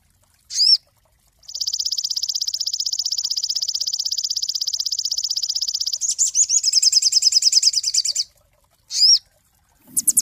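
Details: Cinereous tit song used as a master recording for training songbirds: a clean, high, fast even trill lasting several seconds, then a jumbled twittering run, framed by short sharp arched notes; no other sounds.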